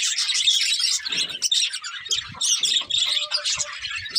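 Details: Colourful budgies of a breeding pair in a short burst of lively, rasping chirps and warbled chatter, rising and falling in loudness over a few seconds.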